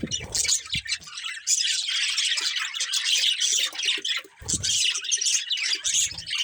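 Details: Breeding pair of budgerigars chattering nonstop in dense, scratchy warbles and high chirps, with brief low thumps near the start and again around four and a half seconds.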